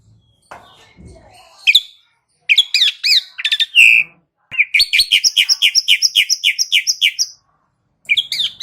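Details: Asian pied starling, recorded as a singing lure, with scattered soft scratchy sounds, then loud squeaky slurred notes and a long steady series of about fifteen evenly spaced chirps, ending with a short burst of chatter.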